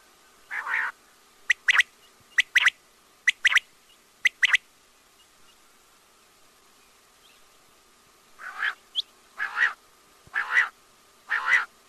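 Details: Quail (batair) calls: a rough raspy note, then paired sharp whistles repeated about once a second, a short pause, and a run of coarse buzzy notes toward the end.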